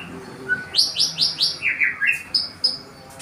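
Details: Wild forest white-rumped shama singing to court a female: a quick run of four bright rising whistled notes, then a lower descending slurred phrase and two short high clear whistles, all within about three seconds against a quiet background.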